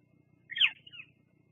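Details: Female bald eagle at a Fraser Point nest on a live camera, 17 July 2022, visiting in the evening to preen and rest; one high squeaky chirp slurring downward, then a softer trailing note, over a low steady hum.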